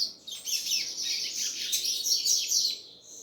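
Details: Continuous, rich stream of high, fast twitters and slurred notes from a double-collared seedeater, sustained almost the whole time before tapering off.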